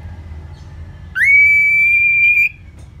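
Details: Orange-headed thrush ngeplong song, a lure for getting caged birds to sing: one long, pure whistle rising quickly at the start, then held level for over a second before stopping abruptly.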